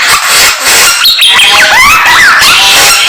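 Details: Samyong singing in the morning: clear looping whistles rising and falling over a steady hiss of background noise.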